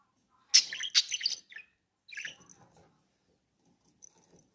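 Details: Budgerigar kept as a pet, chattering in a rapid cluster of scratchy, high chirps and squeaks, a second softer burst, then faint thin peeps against silence.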